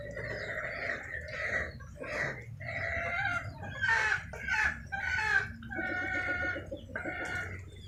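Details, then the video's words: Chickens calling in the rain, a run of drawn-out, nasal, harmonic clucks and cackles following one another about every half second, with several birds overlapping, over constant rain hiss. "the sound of rain accompanied by the sound of chickens"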